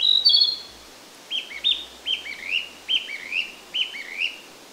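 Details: Narcissus flycatcher singing while feeding, pausing between phrases, on a woodland walk in Kita-Harima, Hyōgo, Japan: clear high whistled phrases, a bright opening note then repeated pairs of rising slurred whistles about every half second.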